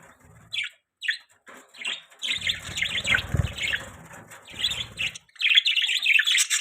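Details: Pet budgerigars chirping indoors: bursts of bright, high chirps and squawky notes, sparse at first and then dense and overlapping, with low thumping and rustling noises underneath.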